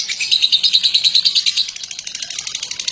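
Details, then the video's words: Shrill, fast-pulsed ngekek chatter from a lovebird, a recording for training other birds: bright and loud at first, then softening slightly over the last second. "Burung Lovebird BATMAN ngekek PANJANG cocok untuk MASTERAN"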